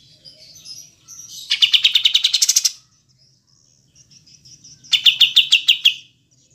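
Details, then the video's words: Pied triller, kapas tembak, delivers two rapid pulsed trills of a dozen or so metallic notes each, about a second long, with soft twittering before and between them. "Masteran Kapas Tembak Jernih Jeda Durasi Panjang"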